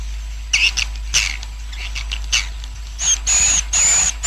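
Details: Roosting sound of a swiftlet colony, aimed at attracting birds to settle quickly: scattered sharp chirps and squeaks at first, then longer buzzy bursts with a high thin whistle toward the end.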